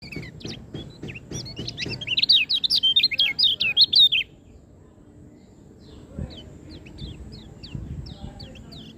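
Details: Lombok white-eye singing: a rapid run of high, wavering, jumbled notes for about two seconds after a series of short chirps, then fainter scattered high chips with low thumps and background noise.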